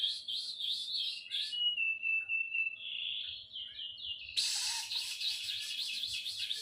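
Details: Canary song with varied tours: bubbling trilled phrases give way to a long steady whistle and softer warbling, then a sudden loud, rapid, buzzy rattle of closely repeated notes continues to the end.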